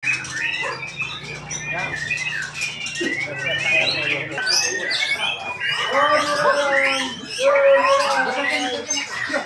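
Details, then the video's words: Young White-rumped shama (murai paud) during play, giving squawky, harmonic chirps and slurred notes that rise and fall, growing denser and louder in the second half, with low human voices in the first few seconds. "main di burung murai paud"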